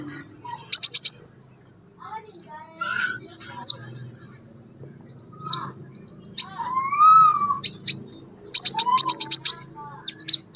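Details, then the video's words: Crimson sunbird singing actively in the wild: bursts of very high, rapid ticking trills, mixed with short sharp chips and a few lower whistled slurs rising and falling, with quiet pauses between phrases. "BURUNG SEPAH RAJA GACOR DI ALAM"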